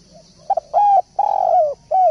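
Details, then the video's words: Spotted dove cooing steadily for a bird-training recording: a brief double note, a sustained even coo, a longer coo dropping at the end, then another note beginning. Soft background hum. "Masteran Derkuku / Tekukur gacor poll"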